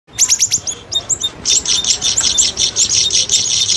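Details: Streak-eared bulbul sound used as a lure recording for trapping birds: dense, high, sharp chirps and short notes, fast and irregular, with several birds overlapping throughout.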